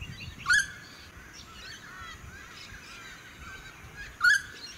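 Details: Noisy friarbird in a suburban area of the Sunshine Coast, Queensland, in May 2018, giving two loud, harsh, nasal notes about four seconds apart, with softer chattering, other bird calls, wind and suburban noise.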